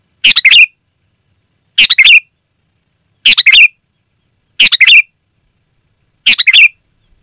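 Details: Sooty-headed bulbul in energetic 'gacor' song, recording meant to lure wild birds in forest: five short, loud, bubbly chirping phrases repeated about every one and a half seconds, with quiet gaps between.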